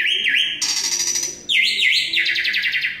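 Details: Asian pied starling from Semarang singing vigorously: a looping wavy whistle, then a fast buzzy trill, the pattern repeated once.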